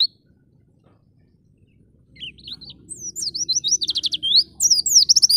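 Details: Oriental white-eye in the energetic ngalas style, used to train and tutor pet white-eyes. After two seconds of quiet, rapid high twittering builds into dense, excited sweeping chirps over a low steady hum.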